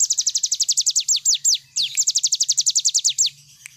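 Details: Cigun bird in full song, the rapid 'nembak' style, as a training recording for other birds: fast runs of sharp, high downslurred whistles, about five per second, broken by a few longer slurred notes and a brief pause.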